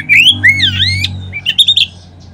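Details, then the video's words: Oriental magpie-robin song used as a lure to stir other birds into singing: clear whistled notes sweeping up and down in long slurs, then a quick run of short bright chirps, over a steady low hum. "Kacer manapun seketika terangsang berbunyi dengan pancingan ini."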